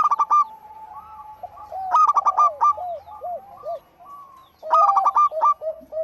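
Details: Zebra dove of local stock singing for luring: three loud bursts of quick chopped coo notes, the middle one longest, with soft rounded coos between them.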